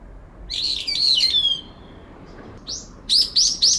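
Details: Two brown-eared bulbuls dispute territory in a cherry tree in late September. A resident bird calls to drown out an intruder's clear voice. Shrill, harsh, wavering high calls open the clip, then a short pause, then three rapid loud squealing notes.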